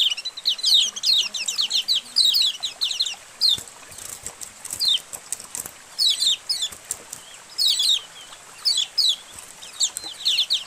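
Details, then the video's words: White-eye colony chatter, used to coax caged white-eyes into singing: many overlapping high, sharp chirps and fast twittered runs in repeated bursts, separated by short quieter gaps. "Masteran Suara Koloni Burung Kecial Untuk Memancing Kecial Buka Paruh"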